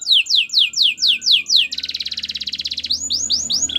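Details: White canary song: seven descending whistled sweeps, a dense rapid buzzy trill, then slower upward-curving whistles, with faint low background hum.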